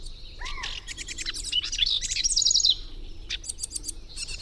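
A House Wren sings loud and close: a fast, bubbling jumble of high chattering notes and trills, opening with a short slurred whistle.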